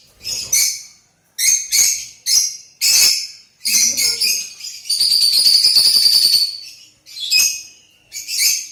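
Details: Pet Lutino lovebird, a yellow colour form, giving loud harsh high chirps in short bursts, then a sustained buzzy chatter for about a second and a half, followed by further sharp chirps with brief pauses between.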